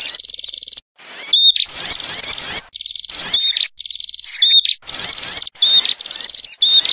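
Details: Bar-winged prinia lure call used to attract the birds in the field: loud, rapid, even trills of high ticking notes alternating with harsh, buzzy, scratchy bursts, repeating roughly every second with no other sounds.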